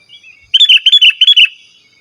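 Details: Sooty-headed bulbul, singing without mimicked fillers to draw in rival wild birds and tutor caged ones, delivers a fast burst of about six bubbly, whistled notes in under a second, clear and loud.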